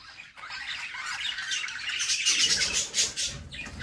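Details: Female budgerigar feeding her babies in a nest box; rasping, high chirps build from soft to loud and continuous, with low rustling and bumping in the second half.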